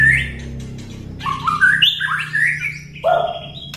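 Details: White-rumped shama ketrekan, a chattering trill used to provoke other birds into singing: a rich run of warbled, slurred whistled phrases that shift up and down in pitch, ending on a thin high note.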